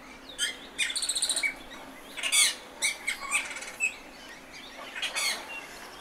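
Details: Austral thrush singing more faintly: short buzzy trills and scattered high chirped notes separated by pauses, over a soft background hiss.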